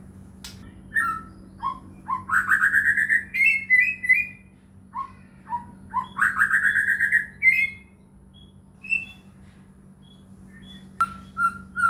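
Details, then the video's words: White-rumped shama (murai batu) lure song to make caged shamas respond: short whistles lead into long rising warbled trills, repeated after a pause, ending with spaced single whistled notes. "murai batu gacor AMPUH buat PANCINGAN murai batu agar bunyi"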